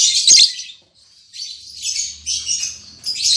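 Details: An albino MM male and lutino MM female lovebird, recently put together in a cage, open with a loud piercing squeal, then a string of softer grating chatter phrases.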